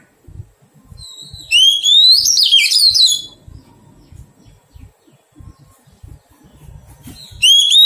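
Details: Oriental magpie-robin, freshly caught from the wild and being tamed, repeats its phrase twice: a strong upslurred whistle that melts into a rapid, descending warble. Quiet taps and rustles fill the gap.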